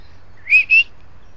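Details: Bird singing in Mallorca: two short, bright whistled notes in quick succession, the first rising, over a faint low hum.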